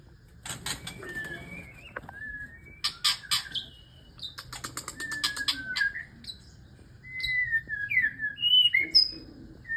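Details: Male white-rumped shama singing while courting a female. Clear whistled notes, some slurred up or down, are mixed with rapid dry clicking rattles. The phrases are varied and grow louder toward the end.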